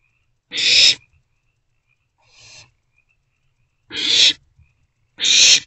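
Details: Three owlets kept to their nest box on 13 April 2024, between 1:05 am and 12:46 pm; three loud breathy screeches and one quieter hiss come at uneven intervals, each burst short and harsh.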